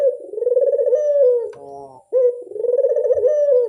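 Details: Lure recording of a burung puter, the Barbary dove: two long, tremulous coos in a low register, beating rapidly like a purr, separated by a short softer murmur and a near-silent gap.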